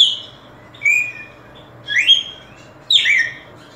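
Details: Red-cowled cardinal giving a few separate whistled notes, a level tone then two bright downslurred phrases about a second apart, over a soft steady background hum.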